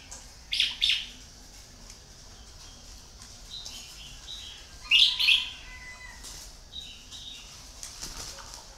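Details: Red-whiskered bulbul kept as a decoy bird for luring, giving short bright chirpy phrases near 0.6 s and again near 5 s, separated by quiet gaps with faint soft twitters and fluttering.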